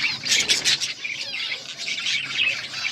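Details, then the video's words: Short burst of budgerigar chirping: a loud cluster of sharp squeaky notes at the start, then softer rolling warbled chatter that continues to the end. "Beautiful budgies colour birds chirping sounds"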